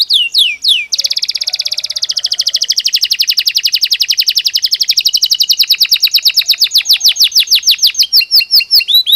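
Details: Belgian canary singing naturally, a few upslurred notes then a long rapid trill of repeated notes that slows gradually and breaks into separate descending chirps.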